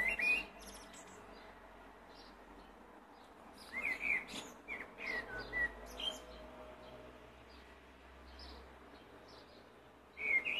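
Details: Blackbird song heard at some distance over steady background noise: scattered mellow warbled phrases with high twittering tails, repeated several times.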